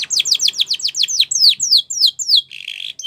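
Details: Spanish Timbrado canary in full song, used to train young canaries; a quick string of falling whistled notes about four per second, ending in a short harsh rattle.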